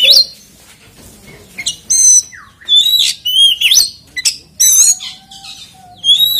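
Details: Magpie-robin (kacer) singing to provoke other magpie-robins: varied loud whistles, some sweeping down, others rising, with rich overtones, delivered in uneven bursts with short gaps.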